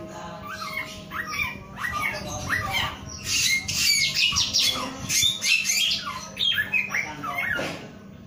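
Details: Male samyong (Asian koel) singing, a busy run of rising and falling whistled notes and harsh squawks, densely overlapping, with steady low hum and other birds in the background.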